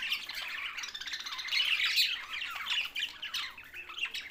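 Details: Australian parrots known as budgies chattering steadily: rapid, scratchy chirps and warbled squeaks tumbling over one another, loudest near the middle, with no other sounds.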